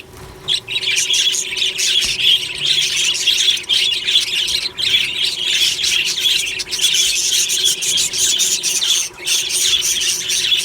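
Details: Budgerigars, described as happy, chirping and singing in the morning in an aviary colony: a continuous dense chatter of warbling, scratchy and squeaky notes from many birds overlapping, with a steady low hum underneath.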